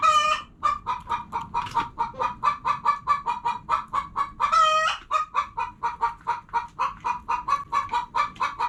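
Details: Hens clucking rapidly, short notes packed close together, with a loud drawn-out squawk at the start and another near the middle before the quick clucking carries on.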